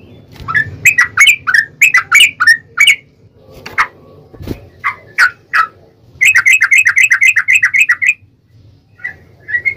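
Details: Yellow-vented bulbul singing a long rapid rolling song used as a lure to provoke another bulbul to sing: loud, harsh bubbling notes, then a fast even run of repeated chattering phrases, with brief pauses.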